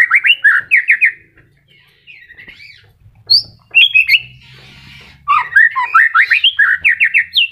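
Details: Moulting white-rumped shama, new feathers just emerging, still singing: rapid bursts of slurred whistles and chattering notes, broken by pauses and a short scratchy rasp, then a fast repeated whistled run.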